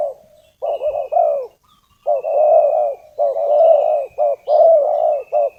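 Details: Repeated low, hollow cooing from a spotted dove used as a decoy to call wild doves, phrases of clipped and longer notes running back to back, while a faint sustained high whistle carries in the background.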